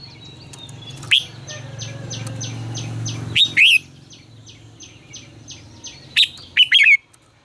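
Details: Red-whiskered bulbul singing as a decoy and training voice: sharp single notes, then short, rich chattered phrases, set against a background row of evenly spaced high piping notes and a low hum.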